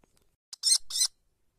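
Kestrel chicks give two harsh, hissing screeches in quick succession, high-pitched and rasping, lasting about half a second in all.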